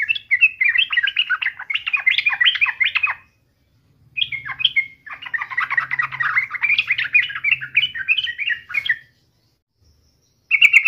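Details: Sooty-headed bulbul in vigorous song meant to coax other bulbuls into singing: dense, jumbled chattering phrases of quick notes in long bursts, separated by short pauses, over a faint low background hum.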